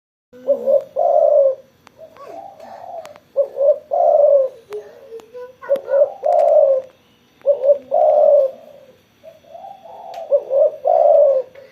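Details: Spotted dove cooing vigorously after being sunbathed: low, hollow coo phrases repeated in bursts roughly every one to two seconds, with short pauses between phrases and a quiet background.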